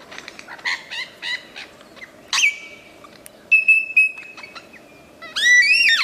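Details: In the Australian wild a superb lyrebird mimics other species: a rapid rattle of dry clicks, then a sharp down-slurred note into a long steady whistle, and a final harsh, layered burst of rising notes.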